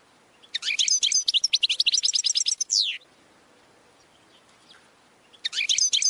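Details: Goldfinch training song with a rapid twittering phrase of tinkling notes and buzzy trills ending in a downslurred note, a pause, then another burst of chatter.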